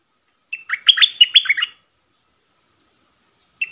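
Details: In the 'double' song style, a cream-vented bulbul gives one quick, warbling phrase of sharp looping notes lasting about a second, then after a silence starts another note at the end; recorded 18 June 2021.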